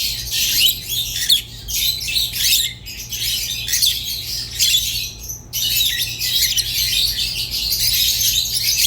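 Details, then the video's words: High, scratchy squawking and twitter from rosy-faced and Fischer's lovebirds, with short breaks near three seconds and a sudden stop around five and a half seconds before the chatter resumes. "تغريد ولا أروع | روز و فيشر غندور بصوت ساحر وممتع"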